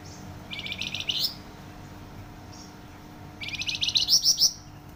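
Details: Flamboyan singing loudly and densely: two bursts of fast, pulsing, buzzy high notes that rise at their ends, the second longer and stronger, over a quiet low hum.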